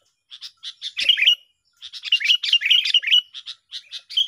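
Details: Sooty-headed bulbul song used as a lure for bird trapping: lively chirpy phrases of short bright notes, some warbled and slurred, delivered in fast bursts with brief pauses.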